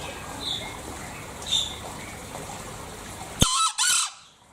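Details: Bali green junglefowl giving a sudden, sharp two-syllable screech near the end, preceded by faint distant bird chirps and a steady rushing background noise.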